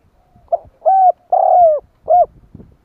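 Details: Spotted dove lure call to draw in wild doves: a single phrase of a brief note followed by a long coo, a longer falling coo and a short arched final coo, with faint low knocks in the background.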